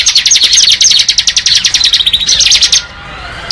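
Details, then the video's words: Bar-winged prinia pouring out a ngebren song: nearly three seconds of rapid, shrill, evenly pulsed chirps that stop abruptly, followed by a brief quiet spell. "Suara Burung Ciblek Ngebren"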